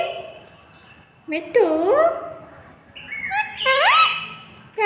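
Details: Pet parrot chattering with its owner: two bursts of clear, whistly speech-like syllables that bend up and down in pitch, the second burst higher and rising, separated by a quiet gap.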